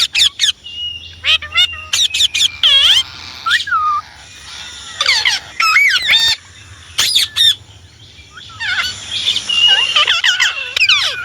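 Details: Talking Indian ringneck parrot producing bursts of shrill, harmonic squawks and curved speech-like syllables in irregular groups, separated by short quiet gaps, with a faint low hum underneath.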